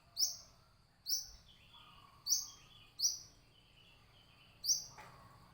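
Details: Brown-throated sunbird, known locally as kolibri kelapa: a series of five sharp, high, thin notes, each dropping quickly in pitch, spaced roughly one second apart, with faint lower chirps and light background hiss between them.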